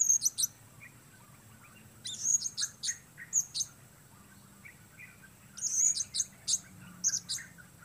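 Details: Blue-crowned hanging parrot calling alone in the open during bird-luring, contending with the weather: bursts of very high, sharp, shrill chirps, two to five quick notes per burst, repeated every second or two, with a faint low background hum.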